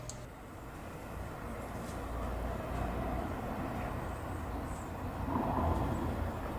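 Low rumbling vehicle or train noise fills the recording steadily, with no animal voice standing out.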